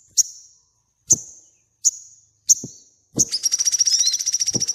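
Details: Crimson sunbird singing, kept as a training recording for cage birds: four sharp, high ticks about a second apart lead into a fast, buzzy, high-pitched trill.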